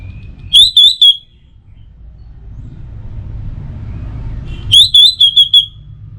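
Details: Orange-headed thrush song used as a morning and evening lure to get other birds singing: two loud bursts of three to four clear, high whistled notes, separated by a quiet pause with low background hum.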